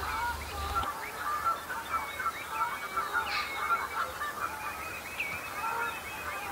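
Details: Common shelduck flock at the start of the breeding season, sparring to establish pecking order and impress mates; steady overlapping honking and cackling calls, with a brief low rumble at the very start.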